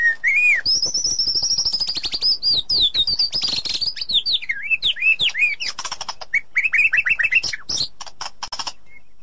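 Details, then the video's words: Edited white-rumped shama song meant to restore singing in a silent bird: a long, high, trilled whistle sliding downward into twisting notes, then noisy chattering and a run of quick repeated whistled phrases. "Ocehan Murai Batu || Therapi Sangat Cocok Untuk Mengatasi Murai Batu Macet"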